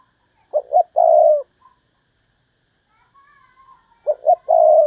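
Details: Decoy spotted dove giving 'thúc bổi' calls to attract wild doves: paired short hoots followed by a sustained mellow coo, repeated twice with a faint thin whistle in the pause.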